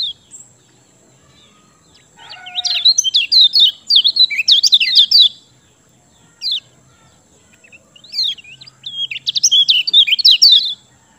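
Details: Lemon-bellied white-eye (kecial kuning) in song meant as a lure for birds that will not sing: two bursts of quick, high, scratchy twittering, the first about three seconds, the second after a brief chip and pause.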